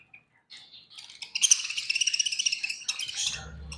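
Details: Budgerigars eating and chirping: a rapid buzzy chattering warble of quick repeated high notes building after a few faint chirps, ending with a low rumble.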